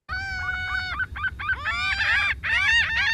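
Laughing Gull giving a run of loud, nasal, laughing notes: a drawn-out opening cry, then quick yelping notes about two a second, some rising, others falling.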